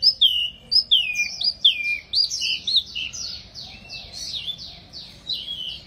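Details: Lively wambi mini song made of loud, ringing whistles that slide downward, followed by a long series of softer, repeated upslurred-and-falling notes delivered in quick succession, high-pitched throughout.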